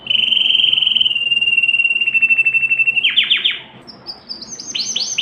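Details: Canary song meant to stimulate females for mating: a long steady whistled note, then fast descending trills and rising high rolled phrases.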